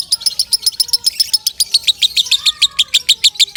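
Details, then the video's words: Loud lovebird song meant for teaching other birds: rapid, shrill, squeaky notes repeated about three times a second, each a sharp high chip in a bright, metallic chatter. "Suara Kencang Lovebird"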